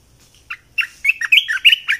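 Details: Red-eyed bulbul song used as a decoy sound: a short run of bubbly, liquid, rising and falling notes, loud and close, delivered in quick succession over two seconds.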